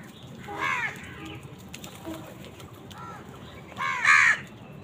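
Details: Crows clash with wild birds over food; a harsh caw early on, a few softer calls in the middle, then one loud, raspy caw near the end.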